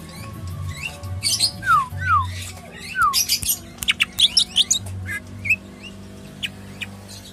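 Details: A greater green leafbird at a bird kiosk sings a lively, irregular string of sharp chips, slurred falling whistles and quick high bursts over a low background hum.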